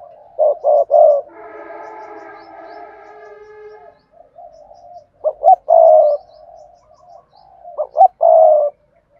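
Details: Spotted dove, song in the Cườm Sa style: three phrases of quick notes and long throaty coos, the first followed by a steady humming tone with several layered pitches that lasts about three seconds.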